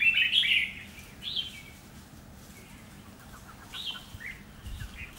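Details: A decoy red-whiskered bulbul sings at a trap to draw in a rival. A loud, warbling whistled phrase opens the recording, then a quiet gap, then short, softer chirped notes near the end.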